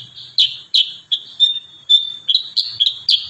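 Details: Lively kurincang song in the close 'tembakan rapat' style, with sharp high chirps about every third of a second, linked by a thin sustained whistle in the middle.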